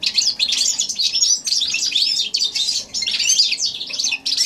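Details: Hybrid goldfinch x canary, January 2016, giving a loud, continuous high song of rapid twitters, trills and sharp chips in quick phrases with very short breaks.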